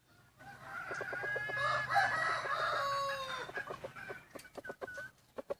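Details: Morning crowing of wild chickens at Hmong New Year, December 2020. One long, drawn-out crow lasts about three seconds, followed by a rapid run of short clucking notes.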